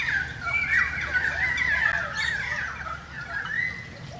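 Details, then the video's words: Currawongs in a rain shower giving a near-continuous run of overlapping warbled whistles and squawky notes that waver in pitch, as if several birds are calling together, over a steady low background hum. "Currawong song"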